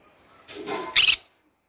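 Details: Morning call of a pet green-cheeked conure: a softer rasping lead-in followed by one loud, harsh, noisy squawk lasting about a quarter second.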